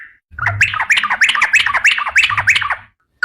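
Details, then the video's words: Gacor sooty-headed bulbul of the garuda variety, singing long ropel phrases. One dense burst of roughly a dozen rapid, scratchy, up-and-down notes lasting about two and a half seconds, framed by short single whistles and faint low background rumble. "SUARA BURUNG TRUCUKAN GACOR"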